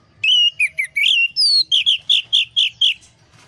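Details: Orange-headed thrush lure song for a stressed bird that has stopped singing: clear whistled notes sliding and rising, followed by a quick series of short, evenly spaced chirped phrases.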